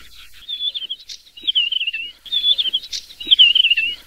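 Desert Wheatear giving four high, wavering phrases that slide gently downward, each under a second long, with short gaps between; faint rustling background.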